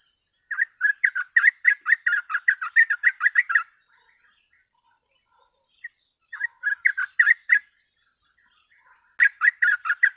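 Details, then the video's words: Chatty sooty-headed bulbul performing 'gacor ropel' song for training other birds: three bursts of quick, sharp, slurred chirps, each several seconds long and separated by silent gaps. "TRUCUK GACOR ROPEL MASTERAN PANCINGAN BURUNG TRUCUK"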